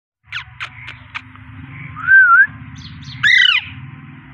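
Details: Parrot heard indoors: a few short scratchy chirps, then a smooth wavering whistle and a harsh rising-falling squawk, with a low steady hum underneath.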